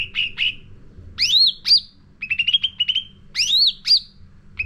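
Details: Lure song from a caged sooty-headed bulbul for training birds: buzzy chirp series alternating with bright swooping whistles, phrases recurring about every two seconds.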